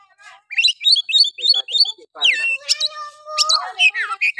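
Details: Oriental magpie-robin in full harsh-toned song meant to provoke other males: a run of five quick repeated chirped phrases, then rising slurs, sharp upswept notes and long steady whistles under scratchy warbling.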